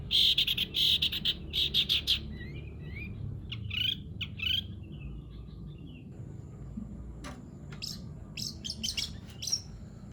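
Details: Long-tailed shrike song in 'greja nyeret' style: bursts of bright chattering chirps, then scattered sweeping notes and sharp ticks after a pause, over a noisy low rumble.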